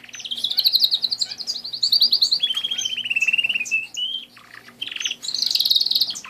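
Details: Pet canary song: long, fast trills of even repeated notes, first high, then stepping lower in a buzzy rattling run, a brief pause, and a final high rapid trill.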